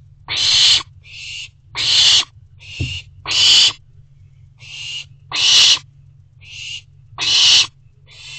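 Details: Owlet calls from a nest box at night, 29 June 2023, recorded by a box camera: rhythmic, raspy hisses alternating loud and softer, roughly two per second, with a low background hum and one brief knock.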